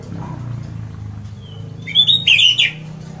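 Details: Orange-headed thrush giving a loud 'ngeplong' song meant to set other birds singing: a short burst of bright, sharp high notes in the final second, after a quiet stretch with a low background hum.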